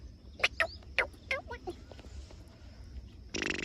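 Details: Black francolin calling: a quick run of about six short, harsh, grating notes over roughly a second and a half, followed by quieter scratchy sounds and a burst of broad noise at the end.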